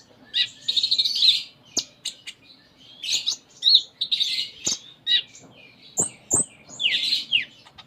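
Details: Actively singing Sunda minivet (konin) with a varied 'full isian' repertoire: dense chattering trills alternating with sharp high notes and thin whistles, in irregular bursts across eight seconds.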